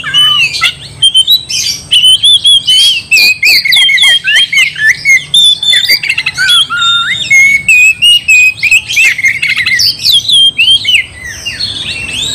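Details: Oriental magpie-robin singing nonstop in gacor style to stir another into fury: rapid choppy bursts of whistles and rasping notes repeated several times a second, with sweeping slurs throughout.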